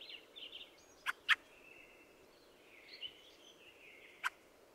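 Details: Fieldfare mixing a thin, chattering squeaky song with loud harsh chack notes, first a pair close together, then a single one, against background hiss.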